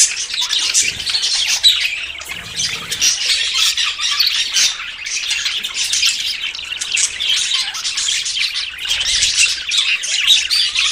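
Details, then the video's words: Courting budgerigars about to breed keep up eleven seconds of dense, grating warbles and chirps in uneven waves, with brief quieter gaps around two and nine seconds. "CON ESTE AUDIO TUS PERIQUITOS SE APAREARÁN"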